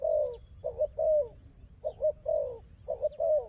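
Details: Loud, throaty dove coos from a fighting wild bird and its decoy, given in uneven clusters of two or three notes, over a continuous string of thin, high, repeated whistles.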